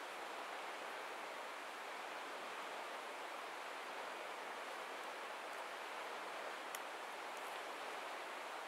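Steady broadband hiss, like wind, surf or rushing water, fills the whole recording with no animal voice; a few faint high ticks appear near the end.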